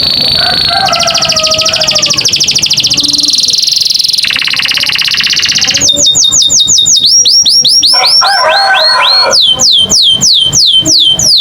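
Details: American canary song, melodious and varied: buzzy, rolling trills open the phrase, then shift to rapid runs of high, sweeping notes, each falling slightly, repeated many times a second.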